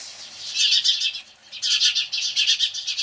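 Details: House sparrows reacting to a Cooper's hawk, a loud screeching flock chorus of harsh, high chirps packed in rapid bursts, a busy run, a short lull near the middle, then another dense round of scolding.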